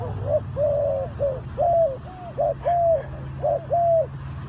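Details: Spotted dove near a bird trap in Ninh Thuận, Vietnam, delivering a run of hollow coos alternating short and drawn-out notes, roughly one pair per second, over a low steady hum.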